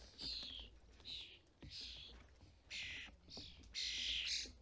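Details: European starlings at a garden feeder in the UK in fledgling season. Spaced, raspy squawks rise to a louder, more strident pair near the end, over steady low background noise.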